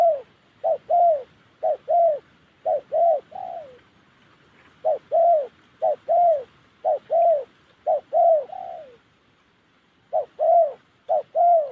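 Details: Đồng Ngực Chẻ spotted dove from Gia Lai in Vietnam's Central Highlands, cooing in runs of soft short-long note pairs about once a second, broken by brief pauses.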